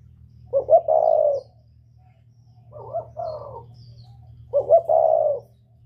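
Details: Whistle-voiced northern Vietnamese spotted dove used to lure wild doves: three coo phrases about two seconds apart, each two sharp short notes then a longer resonant coo, over a low hum.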